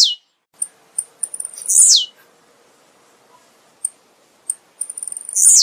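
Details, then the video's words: Blue-black grassquit giving its thin, high buzzy song: quick ticking notes leading into a sharp falling 'tizi-oo' sweep, repeated about every three to four seconds. "Canto do TIZIU"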